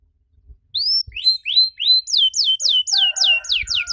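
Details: Singing canary in 'cengkok mewah' style, offered as a model for young canaries to learn: three rising whistled notes open, then a fast, even run of high descending sweeps, roughly four each second.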